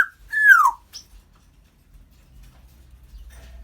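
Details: Single loud whistle from a pet African grey parrot, rising briefly then sliding down, followed by a faint click and near silence.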